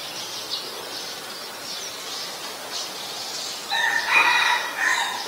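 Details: A White-vented (Great) myna, Acridotheres grandis, in Ubon Ratchathani, Thailand, on 11 January 2021: faint, thin hissing notes give way to a loud, harsh, rasping, slightly nasal call near the end, about a second and a half long.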